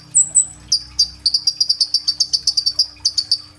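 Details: Sunbird (kolibri ninja) recorded on an Oppo A37f phone, singing in full 'gacor' form: a few thin high whistles, then a fast run of sharp, evenly spaced high chips lasting about three seconds, with a faint steady hum underneath.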